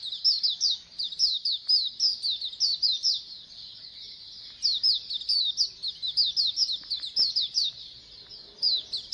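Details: Massed Oriental white-eye chatter in pleci koloni style, intended to make birds sing readily. Fast, high-pitched chirping comes in repeated bursts with brief gaps around three and five seconds.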